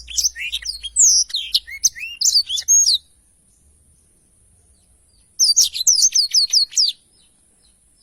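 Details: Black-throated canary with its long rolling song, recorded cleanly for songbird training: a three-second flurry of sharp high chirps and slurs, over two seconds of quiet, then a fast run of repeated downslurred notes.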